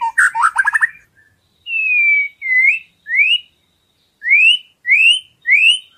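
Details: Filler song of a white-rumped shama, used as a tutor recording: a brief burst of fast chattering notes, then clear, pure whistles rising upward, repeated with short pauses.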